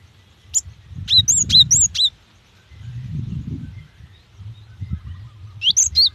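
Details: Female cinereous tit calling a male to draw out song from wild or young birds: quick series of high, bent chirps, five or six in a row, then a pause and another short burst, with low rumbling noise beneath.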